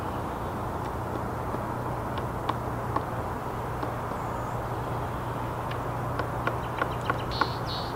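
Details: Pileated woodpecker chipping a big hole in a dead tree, possibly a nest, on a spring day, 30 March 2018, Vancouver BC, Canada: sharp, irregular taps bunching up toward the end, over a steady low hum and background rumble.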